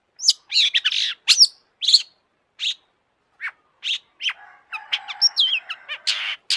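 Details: Long-tailed shrike in full, agitated song: a jumble of harsh buzzy bursts and sharp chips, several brief whistled slurs, and a busier scratchy stretch at the end, with no other sounds.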